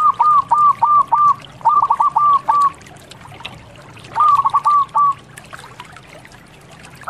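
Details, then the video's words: Zebra dove of a local strain singing in three short bursts of four or five quick, clipped cooing notes each, separated by pauses of about a second and a half; faint background hiss. "MASTERAN PERKUTUT LOKAL GACOR"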